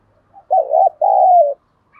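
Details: Spotted dove calling to attract wild birds: a single close coo in two parts, a short quavering note and a longer level one easing downward, followed by a faint high chirp.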